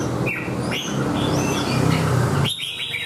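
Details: Singing red-whiskered bulbul performing the 'xoè ôm cóng' display on its cage: short clear whistles and a rising-falling slur, with a burst of quick notes near the end, against low rumbling noise.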